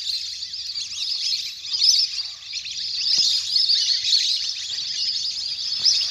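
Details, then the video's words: A big flock of ducks playing on the water in a natural setting; a thick wash of high chattering and whistling calls, with brighter sharp notes poking out and a few faint clicks. "เสียงนกเป็ดน้ำ! ฝูงใหญ่เสียงคมชัดมาก"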